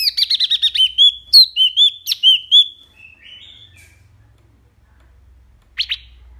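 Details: Wambi mini in full song, loud and clear: a quick burst of rising chirps, then several looping whistled notes, a faint trailing warble, silence and one last sharp note.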